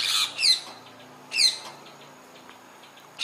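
Rose-ringed parakeet giving loud, harsh screeching squawks in short bursts, three calls spaced about a second apart, with faint softer chatter between.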